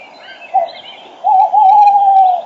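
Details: Male tawny owl perched almost at the microphone at 06:34 on a spring morning, 5 March 2013, while a female calls farther off. One short hoot, a pause, then a long wavering, quavering hoot. Other birds sing faintly in the dawn chorus.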